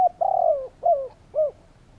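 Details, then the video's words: Spotted dove calling: low, hollow cooing notes, a long drawn-out coo followed by two shorter falling coos, against a quiet background hum. "Spotted doves calling!"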